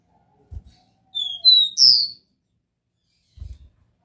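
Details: Single phrase of the pure Dó Ré Mi song by a copper seedeater: three high whistled notes climbing in emphasis, the last one loudest and rising, with low taps before and after.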